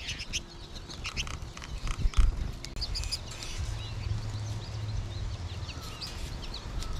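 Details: A late-winter flock of American goldfinches in a yard, with more birds in the trees above, in March 2021 before the flock thins out, calling in overlapping high, thin twitters and chirps throughout over a steady low rumble.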